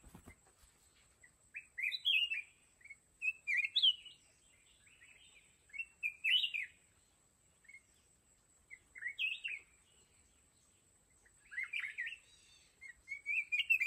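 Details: Decoy red-whiskered bulbul in a fight trap for wild mountain birds, singing short chirpy warbled phrases in loose bursts every few seconds with quiet gaps between, over a thin constant high-pitched hiss.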